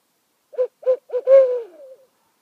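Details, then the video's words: An owl calls at night from a meadow behind a house on Rattenbury Rd, where two owls answer each other from a branch and a spruce top: three short low hoots, then a longer hoot sliding downward, in a quiet background. "Owl Calling on Rattenbury Rd"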